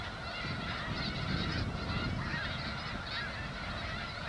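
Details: Thousands of Snow Geese in a sprouting wheat crop on the Skagit Delta, Washington, honk continuously in a busy, overlapping chorus with brief louder surges.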